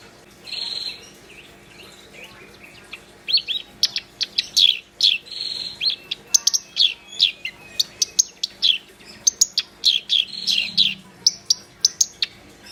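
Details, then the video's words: Black-browed reed warbler singing hard in a long continuous stream of scratchy chatters, sharp squeaky chips and harsh buzzy notes. The phrases vary and the pace quickens midway. "Kerak Basi Gacor"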